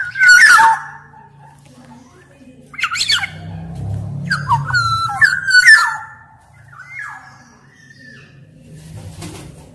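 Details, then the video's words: Black-naped oriole (kepodang emas) song meant to stir up orioles that have stopped singing: several separated fluty whistled phrases with scratchy notes, over a low steady hum in the background. "Kicau Suara Kepodang Emas Gacor, Untuk Masteran, Pancingan Kepodang Malas Bunyi dan Macet Bunyi"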